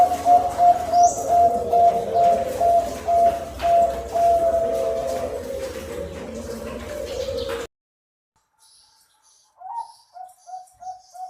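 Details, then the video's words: Zebra dove training song for doves slow to sing: a loud, pulsing run of coos on a level pitch for several seconds, a short silence, then a new string of quick, clipped coos. "masteran perkutut yang malas bunyi"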